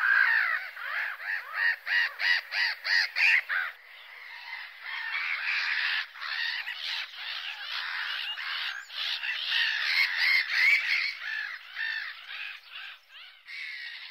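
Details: Harsh, rapidly repeated gull cries open the recording, then blur into a continuous clamour of many squawking birds.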